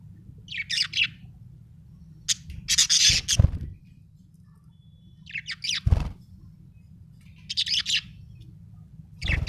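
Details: Happy budgerigar giving bursts of raspy, high chirps and chatter every couple of seconds, with low thumps and a steady hum in the background.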